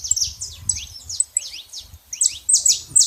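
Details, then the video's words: Saffron finch in nature producing uneven groups of thin, high downslurred chirps with brief pauses between them, over a low background rumble. "canário da terra fazendo barulho na natureza"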